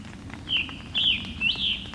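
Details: Scarlet Tanager song from an earlier, clearer encounter: three short, hoarse, burry phrases, each slurring up and down at high pitch, delivered in quick succession over faint background hiss.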